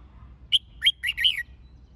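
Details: Red-whiskered bulbul fighting-song training: one lively phrase of four clear, ringing whistled notes, the last slurring downward, over a soft low background hum.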